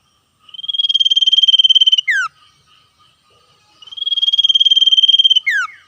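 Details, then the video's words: Wild common iora giving its ngetir song, exchanging calls with other wild birds. Two phrases each start as a steady, rapid, high trill of about 1.5 seconds, then drop in a sharp falling slur, separated by a quiet gap with faint soft notes. "sirtu cipoh gacor ngetir suara asli alam liar"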